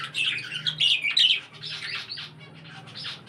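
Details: Budgerigars in an indoor breeding setup with other cage birds, giving a dense, scratchy, high chattering warble in quick bursts, loudest in the first second and a half, then softer continuing chatter.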